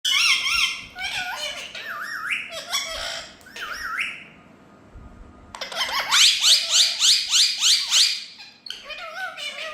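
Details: A group of Rose-ringed (ringneck) parakeets, kept as talking parrots, chatter in harsh, rising squawks and wavering whistles, several birds overlapping in quick bursts with a brief lull midway.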